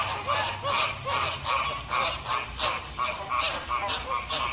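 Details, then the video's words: American flamingo, Caribbean flamingo: a steady run of nasal, goose-like honks, about two or three each second, overlapping with further honking in the background. "Flamingo bird sound / call / noise | American"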